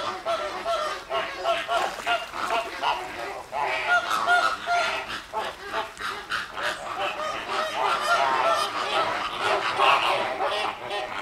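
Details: Flamingos in a noisy group at a wetland centre in Llanelli, Wales, 21 August 2021, keep up a steady babble of rapid, overlapping honks and grunting calls throughout.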